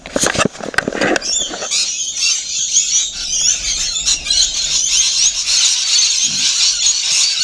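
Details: Rainbow lorikeets feeding. The clip opens with a burst of loud clattering snaps, then settles into a steady high, scratchy screeching chatter from many birds.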